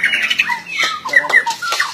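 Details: White-rumped shama giving a fast jumble of harsh, squawky notes mixed with short whistles and downward slurs in a quick, busy burst.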